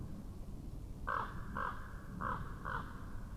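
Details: Raven noises from an Estonian nature webcam in 2017: four rough, nasal croaks in two pairs about half a second apart, set against a constant low-pitched rumble.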